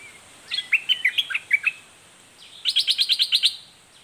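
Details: Red-whiskered bulbul singing its fierce 'doubled' style: a jumble of short whistled notes, a pause, then a fast even series of about eight high, ringing notes repeated quickly.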